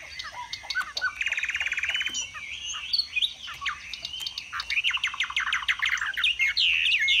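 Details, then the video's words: Caged Chinese hwamei singing while displaying, its voice prized in Vietnam's northwest mountains. A buzzy trill early on gives way to warbling slurred phrases and a fast series of sharp repeated notes. "Họa mi xòe vip, xòe bền, hót cao cầu"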